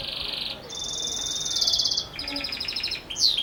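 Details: Belgian canary in 'campainha' bell-style song, delivering sustained high rattling trills that shift in pitch between phrases and end with a sharp rising note.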